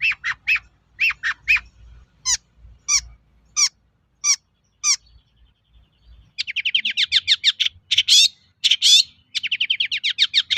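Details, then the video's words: Long-tailed shrike song used as a lure for other shrikes: spaced paired downslurred notes, then single sharp calls, then a fast buzzy rattling trill of rapid repeated notes. "SUARA BURUNG PENTET GACOR AMPUH UNTUK PANCINGAN CENDET LAIN AGAR NYAUT"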